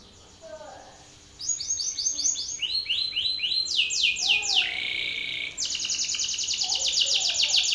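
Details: Belgian canary male singing at a rival: after a quiet start, loud rolling series of descending whistles, a buzzy slurred phrase, then a long rapid high trill; faint lower chirps behind.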